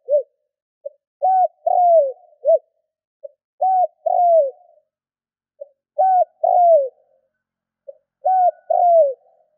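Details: Spotted dove call meant to prompt other doves to call quickly: four phrases about every two and a half seconds. Each has a faint pick-up note, a short arched coo, a longer coo falling away, and sometimes a clipped final note. Quiet background.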